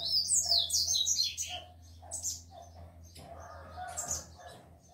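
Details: Tico-tico (Rufous-collared Sparrow), said to be an excited male with females, from a bird breeder: a bright run of high whistled notes sliding downward opens, followed by softer scattered chips and a faint twitter.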